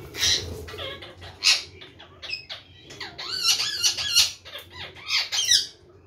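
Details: Parrot chattering: a busy stream of squeaky, curving notes and rough screechy bursts, some dipping and rising quickly, with brief pauses, in a small indoor space.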